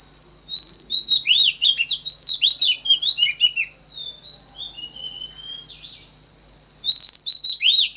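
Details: Oriental magpie-robin singing a rapid run of high, slurred whistled notes and rising and falling trills, pausing midway, then resuming. A steady high electronic whine and faint low hum run underneath throughout.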